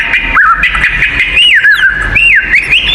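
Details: Oriental magpie-robin in a fighting song used to provoke other magpie-robins: loud whistled phrases with rising and falling slurred notes and sharp chirps, fairly steady and continuous, over a low background hum.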